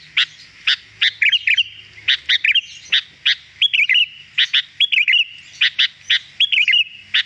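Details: Sooty-headed bulbul (kutilang) training recording meant to get a bird singing eagerly: rapid bursts of sharp chirps and short slurred, warbled phrases, clustered about every half second, over a quiet, clean background.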